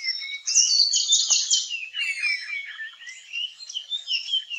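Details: Puff-throated Babbler in the Nilgiris, India, singing during a display dance: a fast, high, jumbled run of chirps and sweet whistled notes, rising and falling with no steady beat.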